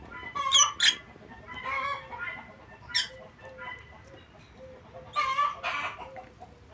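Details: Lovebirds on 9 September 2024 calling in loud, grating shrieks. Several bursts come close together, with quieter rasping notes and a faint repeated clucking-like pulse underneath.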